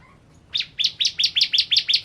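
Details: Ciblek kristal, the Bar-winged prinia, in lively song used to tutor cage birds: eight bright, high notes repeated at a steady, brisk beat, each a short upswept chirp.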